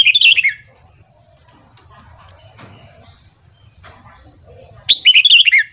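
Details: A Red-whiskered bulbul's morning song for training: a bright warbled phrase at the start, a long quiet stretch with faint low rumble and small clicks, then a second fluty, descending phrase.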